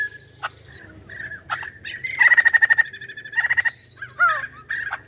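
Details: Chinese hwamei in active song: short whistles and sharp notes, two bursts of rapidly repeated loud notes at one pitch, and a final looping whistled slur over a low background hum.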